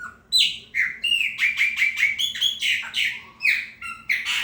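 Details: Chopi blackbird singing to mark its territory: a loud, rapid run of rich whistled and slurred notes, some rising and some falling, delivered more than twice a second, with a faint low hum behind.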